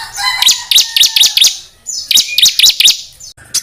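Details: Songbird audio meant to tutor Indonesian contest birds with dense fill phrases; bright chattering chirps in quick clusters, about four per second, with a soft lower tone faintly underneath.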